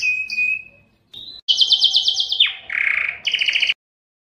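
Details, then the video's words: Canary's mating song to attract females: whistled notes, a pause, then a loud rapid trill, a lower buzzy phrase and a final bright trill before silence. "canary singing is very strong and long to attract females for mating and breeding"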